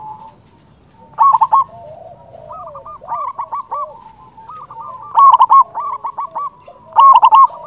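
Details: Local zebra dove with a strong voice, used to lure doves and spur silent birds to sing. Loud rapid coo clusters recur several times, interleaved with fainter cooing from other doves.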